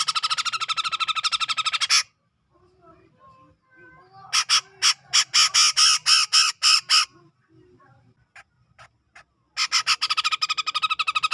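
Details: From Sumatran tropical forest around Medan, a grey-cheeked bulbul gives rapid rasping chattering, then a slower series of loud harsh notes, then another quick grating run after a short gap.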